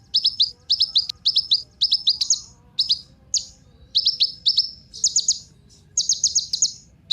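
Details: Used as a lure for other songbirds, a Kolibri Ninja sunbird gives quick triplets of sharp, high, falling chirps, repeated in clusters with short pauses between.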